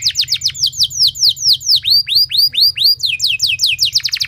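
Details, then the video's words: A canary pours out a lure song for provoking other canaries: rhythmic series of sharp downslurred whistles, then rounded arching notes, then quicker high chirps, each note clear and loud. "Pancingan Kenari Nembak Panjang Keras"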